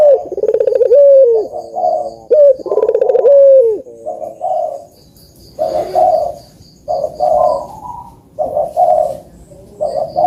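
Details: Cooing of puter doves used to spur lazy birds into calling: two strong swooping coos open, followed by softer, buzzy, overlapping coo phrases at irregular intervals, with a faint high ticking in the background.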